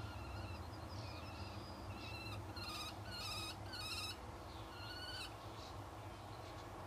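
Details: Kestrel at the nest as the third egg hatches, with the male arriving to look at the new chicks: thin, high, harmonic calls, then a run of rapid repeated notes, over a low steady hum.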